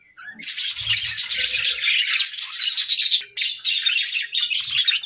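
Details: Happy, playful pet budgerigars chattering continuously in a dense stream of high, warbling chirps and scratchy twitters, several birds overlapping, with a few low thumps early on.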